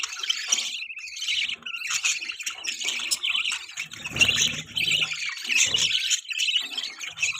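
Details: Budgie mating chatter of harsh, squawky chirps and rolling twitters, steady throughout, with some soft low knocks.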